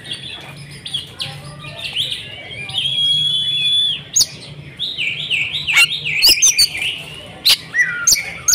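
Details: Female Oriental magpie-robin, used as a lure to prompt silent males to sing, gives varied high whistles, rising slurs and scratchy notes in quick, irregular bursts, with sharp clicks and a low steady hum underneath.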